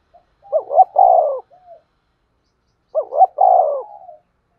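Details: Two repeated coo phrases from a spotted dove used as a trapping lure, roughly two seconds apart; each has two quick upswept notes and a longer falling coo, plus a soft trailing note after the first.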